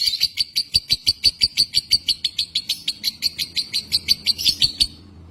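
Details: Indonesian josan lovebird giving sharp, high chirps repeated steadily about three times a second for five seconds, ending abruptly, with a few soft low taps in the background.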